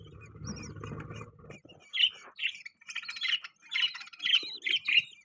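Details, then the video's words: Pet budgerigars with newborn chicks; after a low murmuring start, a string of bright, separate chirps follows about every half second. "Beautiful Budgies Chirping Sound"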